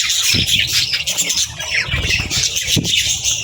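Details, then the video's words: Young budgies and lovebirds at feeding time; a short, loud burst of harsh squawks and shrill overlapping chirps, with low thumps and rumble beneath. "Love Birds & Budgies Feeding Time Sounds"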